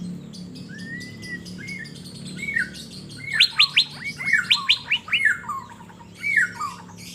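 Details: Asian fairy-bluebird, a caged bird singing actively while put out to sunbathe in Banjarmasin. Liquid slurred whistles lead into a quick burst of about eight sharp, falling notes, followed by further whistled phrases over a low background hum.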